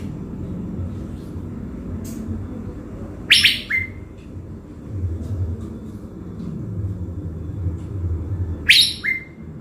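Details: Caged blue-winged leafbird decoy from Bình Thuận, Vietnam. It gives two harsh, scratchy bursts about five seconds apart, each trailed by a brief whistle. Soft low rumbling fills the gaps.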